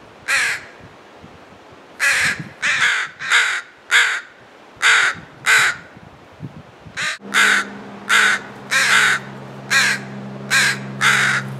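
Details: Repeated harsh caws from crows defending a fledgling, roughly ninety per minute in irregular bursts, some in quick pairs; a low steady hum joins partway through.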